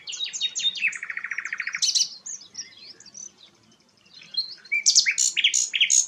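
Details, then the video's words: Sikatan londo flycatcher singing: quick high whistles, then a fast even rattle of buzzy notes for nearly a second. A short pause of soft twitters follows before a loud run of sharp, emphatic chirps. Used as a tutor song for shama birds. "burung sikatan londo gacor"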